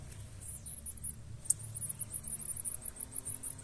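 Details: Blue-black grassquit (Volatinia jacarina) chicks being fed by their parent pair give begging calls: very high, thin squeaks in a quick series, about three or four each second, over a low background rumble.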